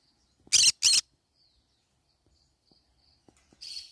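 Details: Pet green-cheeked conure feeding on banana leaves: two loud, harsh screechy squawks in quick succession, followed by faint soft chirps and rustling, ending with a rougher, quieter scratchy call.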